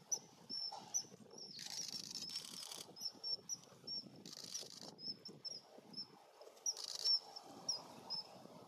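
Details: Common kingfisher pair at a river on 4 March 2016, recorded with a Panasonic LUMIX FZ300: the female preens, the male arrives and soon flies off. Short, thin, high whistled notes repeat throughout, broken by bursts of broadband rushing noise over a low rumble.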